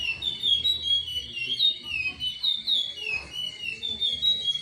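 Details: Chestnut-bellied seed finch giving a Timbira-type song: fluid whistled notes gliding up and down in a continuous melody, with a soft low rumble and a brief click.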